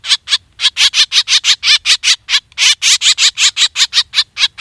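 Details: Black drongo calls played as a hunting lure: loud, harsh, rasping notes in a fast unbroken series of about three per second, each note broad and scratchy, with no other sounds.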